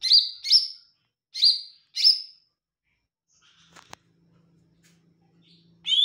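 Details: Olive-backed tailorbird singing actively in a sweet voice: four bright, chirpy double notes in quick succession, then a quiet pause with a single click, before another high note begins at the end.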